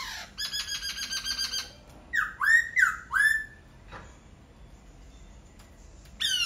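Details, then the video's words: Laughingthrush song opening with a rapid buzzy rattle of repeated pulses, then three clear rising-and-falling whistles, a lone short downward note, and another phrase starting at the end. "Khướu hót cực hay."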